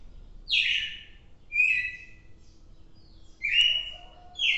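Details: Red-cowled cardinal on 4 December 2023 giving sweet slurred whistles that drop then level off, three phrases a second or more apart plus the start of a fourth, quiet background.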